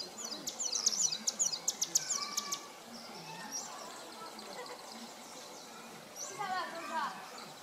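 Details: Displaying male São Tomé prinia singing at Nova Moca, São Tomé, on 19 January 2019: a quick run of sharp, high, evenly spaced notes lasting over two seconds, then fainter background calls.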